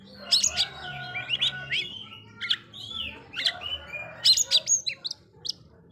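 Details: Oriental magpie-robin song meant to rile up rival magpie-robins, a busy run of varied high whistles, slurs and sharp clicks, phrases tumbling one after another almost without pause.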